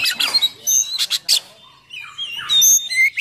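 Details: Oriental magpie-robin song with coarse fillers, used to rile and train other magpie-robins; harsh rasping bursts and chips, a short gap, then clear high whistled notes and slurs.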